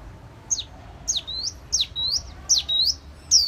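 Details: Caged white-eye of fine song quality, a fanned-tail singing type: sharp high whistled notes sweeping down and then rising, given in loose pairs about every half second, over a faint low hum.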